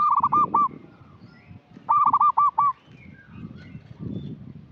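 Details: Local zebra dove heard in a lure recording, giving a loud stuttering coo of rapid, bubbly hooked notes near one pitch. Two bursts come about two seconds apart, with low rumbling background noise between them.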